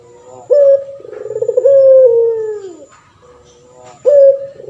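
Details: Caged male puter pelung turtle dove singing eagerly, prized for its long voice and used to train other birds: abrupt bright opening note, trembling pulsed roll, drawn-out falling tone, a short pause, then the next phrase begins.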